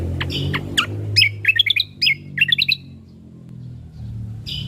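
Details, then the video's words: Ruby-throated bulbul (cucak kombo) song used as a lure and tutor recording for cage birds: short bursts of bright chattering, warbled notes in quick clusters, separated by pauses, over low background hum. "Pancingan Burung Dengan Suara Asli Burung Cucak Kombo | MAsteran Burung Cucak Kombo"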